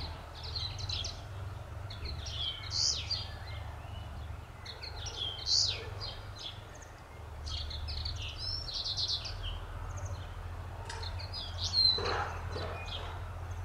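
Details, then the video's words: Common linnet (Linaria cannabina cannabina) singing a rambling run of quick twittering, chirping notes in bursts every few seconds, over a steady low background rumble. "Bluthänfling singend"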